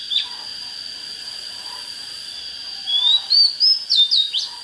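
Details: Oriental magpie-robin singing, played to get birds fired up for fighting wild birds: brief bright whistled phrases rising and falling in the last two seconds, over a steady high electronic-sounding tone.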